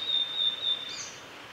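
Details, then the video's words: Male Blue-and-white flycatcher singing at Lake Miyagase on the Kanazawa forest road, Japan, on 3 May 2020. A long, high, even whistle is followed by a brief higher flourish, over a soft hiss of background noise. "宮ヶ瀬湖 金沢林道のオオルリ（雄）のさえずり"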